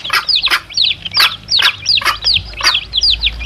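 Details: Domestic chicks and hen, sound used as a lure for wild male junglefowl; thin high peeps sliding downward, interleaved with sharp clucks at an uneven rhythm.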